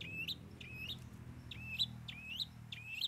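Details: Long-tailed Shrike mimicry song with three fillings: five slurred whistles, each dipping low then rising to a sharp, high flick, spaced about every six-tenths of a second, with a low hum behind.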